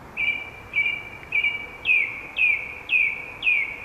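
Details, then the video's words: Song thrush singing along the Zauberwinkel and Kundler Bergweg, repeating a clear, high note about twice a second; the first notes are level, and the later ones start higher and slur downward. "Die zweite Hörprobe stammt von einer SINGDROSSEL."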